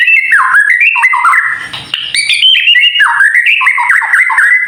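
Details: Kept White-rumped shama in vigorous song meant to provoke other birds: fast varied whistled phrases with steep slurs and trills, nearly unbroken throughout.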